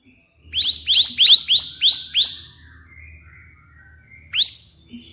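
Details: Bar-winged prinia in 'tembakan' burst song, a tutor recording: six rapid ascending chirps, a lull with soft low rumble, then one isolated rising note.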